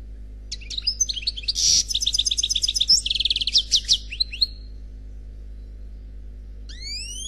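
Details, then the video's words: Khalwi song of an unpaired European goldfinch: a long, fast medley of tinkling chirps, a buzzy rattle and tight trills, followed by silence and then a pair of rising whistles, over a low steady hum. "Chant Chardonneret Khalwi Célebataire"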